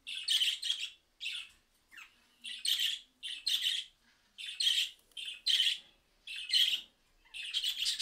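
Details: Budgerigars responding to a mobile phone recording give harsh, scratchy chattering bursts about once a second, high-pitched and grating, with brief gaps between calls.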